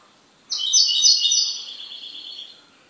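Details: A pet goldfinch sings one loud, sparkling phrase of rapid, high, tinkling notes that trails off into a softer trill.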